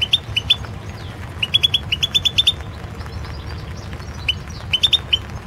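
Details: European goldfinch recorded for the 2016 world goldfinch song championship: clusters of short, high, clipped twittering notes in quick bursts separated by brief pauses, over a low background hum.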